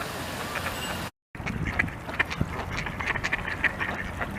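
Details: Khaki Campbell duck quacking in short, rasping bursts over a steady low rumble of vehicle noise, with a brief gap near the start.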